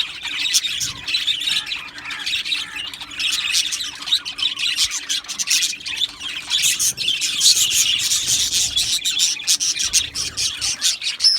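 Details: Australian budgies in a colony aviary chirping and squawking in overlapping bursts, busy high chatter with scratchy noisy notes, growing louder toward the end; a low hum persists throughout.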